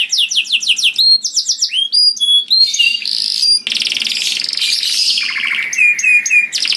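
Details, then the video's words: Loud, melodious song of a canary used to lure others of its kind: varied phrases of fast downslurred notes, sharp whistles and clicks, then a long dense buzzy trill with descending notes and final bright chips. "Burung Kenari Bunyi Gacor Merdu dan Keras Cocok Sekali Untuk Pancing Kenari Lain || Voice of Canary"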